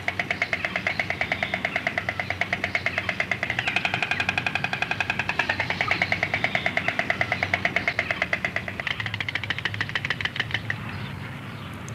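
A steady, rapidly pulsing mechanical drone, like an engine knocking, with a tonal hum and no clear animal voice.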